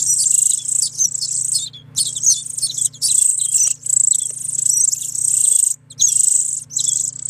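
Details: Hungry European greenfinch chicks at an animal shelter in Guernsey beg in a high, hissing, buzzy chatter that runs almost nonstop with brief pauses, over a low mechanical hum.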